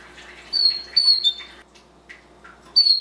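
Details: Canary singing: a few clear, high, drawn-out whistled notes that slide slightly downward, separated by pauses, with softer short chirps and faint rustling in between.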